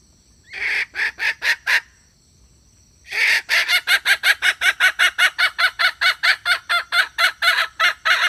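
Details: Red junglefowl hen, calling to draw in males: a short burst of five rasping clucks, a pause of over a second, then a fast, unbroken series of similar clucks, roughly three per second, to the end.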